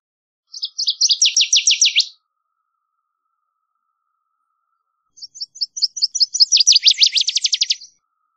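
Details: Northern waterthrush singing twice: each phrase begins with stuttered high chips and rushes into a fast series of loud, downslurred notes, about five seconds apart, with silence between.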